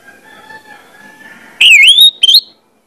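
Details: Orange-headed thrush lure song: faint tonal background hum, then a single loud whistled phrase that swoops down and rises again, ending in a short sharp flourish.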